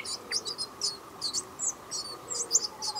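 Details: Black paradise flycatcher chicks in their nest give thin, high, squeaky chirps in quick overlapping bursts several times a second over a faint background hum.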